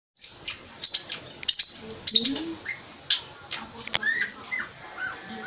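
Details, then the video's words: A budgerigar chatters in high, scratchy bursts with clicks, sprinkling in whistled notes imitating a troupial (currupião) and a tuim parakeet. "Periquito Australiano imitando currupião e periquito tuim"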